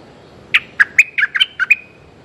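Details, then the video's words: Single phrase from a streak-eared bulbul calling a mate: seven crisp chirping notes swinging between higher and lower pitch, with a thin sustained tone behind them. "เสียงนกดอกแตงEp.181จ้าวแบงค์เรียกคู่!! Suara pikat merbah lekir"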